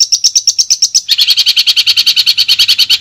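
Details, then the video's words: Long-tailed shrike from Madura in a clean master recording: quick high chirps about seven per second, then a switch to lower, fuller repeated notes continuing steadily. "Suara Jernih Masteran Burung Cendet Madura"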